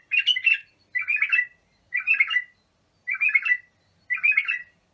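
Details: Bulbul song for teaching young birds: a steady series of rich, gurgling whistled phrases, each under a second long, repeated about once per second.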